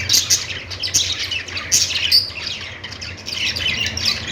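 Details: Budgies singing in a continuous stream of scratchy, high twitters and brief squawks, loudest at the start and again near the end, over a soft low-pitched hum.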